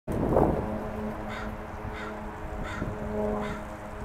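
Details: Leucistic, caramel-coloured crow begging for peanuts, pacing around as a bag of treats comes out; one harsh, loud caw opens, followed by a steady low hum and a few fainter, softer sounds.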